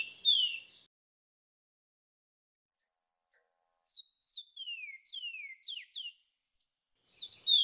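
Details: Seed finch kiauw training song with a background choir bird: soft, thin whistles falling in pitch in a loose repeated sequence, framed by louder bursts of high notes at start and end.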